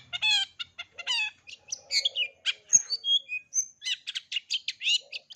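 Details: Long-tailed shrike in a full 'isian' song for young cendet to learn. Loud, harmonically rich squawks open, then come mixed warbles, a few pure whistled notes and a burst of rapid chatter.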